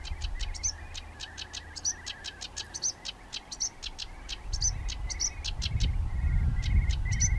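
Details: Sedge warbler song recorded in June 2011, a fast run of sharp ticking notes, more than two per second, broken by brief piercing whistles. Quiet at first, with a low rumbling noise rising toward the end.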